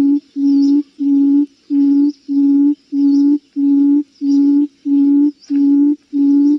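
A buttonquail gives low, steady hooting notes, each about half a second long, repeated evenly about one and a half times per second.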